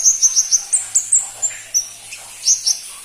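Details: Crimson-breasted flowerpecker, called pentis pelangi, repeating crisp, high tsip notes in a steady quick rhythm, about four per second at first, then slowing and scattering.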